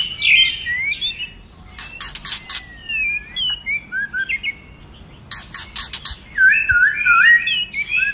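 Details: White-rumped shama varied song to stimulate other shamas: clicking bursts, scattered whistled notes and a closing run of rapid warbled phrases, with a low background hum.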